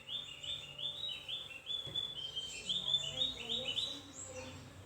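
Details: Thin chirping of a Javan grey-throated white-eye: rapid run of high twittered notes, rising and falling slurs strung together without pause, a faint low hum in the background.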